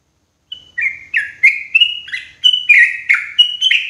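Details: Sooty-headed bulbul lure call for trapping birds in the forest, loud and clear: a rapid series of short, bright chirped notes, some rising and some falling, repeated about three per second with no other sounds.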